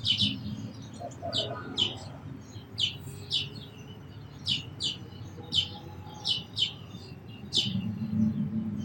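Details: Sparrows give a long run of crisp single chirps, spaced roughly every half second, with brief lower notes near the start and a low rumbling background.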